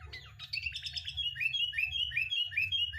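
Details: Sooty-headed bulbul lure song for prompting caged birds to sing: a jumble of bright chirps, then a steady series of short rising whistles repeated about twice a second, with low background hum throughout.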